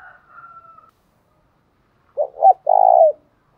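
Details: Spotted dove song in the thổ pha đồng style. A faint thin whistle comes first, then after a pause one low cooing phrase: two clipped notes and a drawn-out coo that drops at the end.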